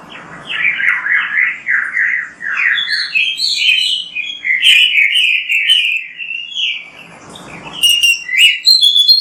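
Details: Oriental magpie-robin in full song, a lure for getting other magpie-robins to sing: a rapid series of short slurred whistles climbing in pitch, a pause, then sharp high chips and squeaky flourishes.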